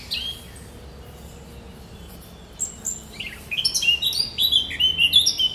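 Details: A great reed warbler sings on 1 July 2020. After a lone opening note, a fast, sharp chatter of short, high, varied chirps starts midway and grows louder toward the end.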